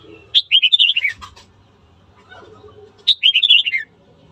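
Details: Red-whiskered bulbul gives its morning fighting-provoking song in two rollicking phrases, each a sharp note followed by quick looping notes that fall in pitch, with a soft low background hum.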